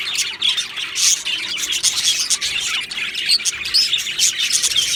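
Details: Many budgies in an aviary chirping and warbling, short high whistled notes and scratchy chatter rising and falling in loudness, a faint steady hum underneath.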